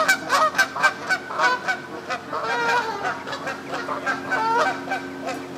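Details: A flock of Canada geese in moult on a West Sussex pond calls in fast bursts of sharp honks, then breaks into a jumbled, overlapping clamour of many voices.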